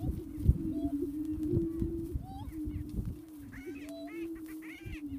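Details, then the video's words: Prairie chicken booming: a low, steady hooting drone runs almost unbroken through the recording, overlaid with scattered higher whooping and cackling notes, and a low rumble underneath. "Prairie chicken booming"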